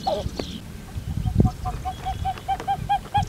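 A Pied-billed Grebe gives a steady run of hollow, cuckoo-like notes, about four a second, after a few harsher opening calls, over a low rumble of background noise.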